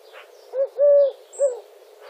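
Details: European turtle dove in Wittlich, Germany, 2017: three smooth, low tonal coos, a short note, a longer held one and another short note, with faint chirps of other birds in the background.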